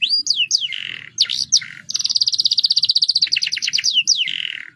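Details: Roll song of a canary, played to spur other birds into singing: sharp downslurred whistles open into a long, rapid, evenly pulsed trill of about twenty notes, ending with swooping whistles and a rasping burst.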